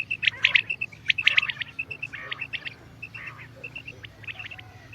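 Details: Common quail calling with bright, clipped high notes bunched in quick threes, two bursts close together, then scattered softer single pips and a faint second caller over a low background rumble.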